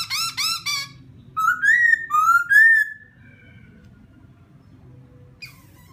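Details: Laughingthrush song used to provoke another bird: a quick burst of rising, harmonic-rich chirps, then three loud slurred whistles climbing and falling, followed by quiet with a low steady hum underneath.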